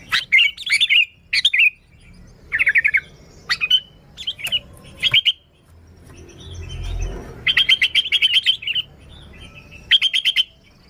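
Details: Lively sooty-headed bulbul, recorded without other birds mixed in and used as a lure for wild bulbuls: short bright warbled phrases and clipped chirps, then a pause with a low rumble before fast chattering bursts resume.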